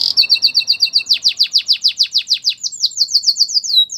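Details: Belgian canary training song: a quick repeated chirping trill with a lower companion note, then a long series of loud downward-slurred whistled notes, about five per second, rising in pitch and ending in sweeping slurs.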